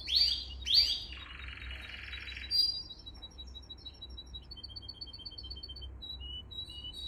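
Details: Canary song meant to train young canaries: two sharp upward-swept notes, a long buzzy roll, then a slow series of thin high whistled pips repeated at varying pitch.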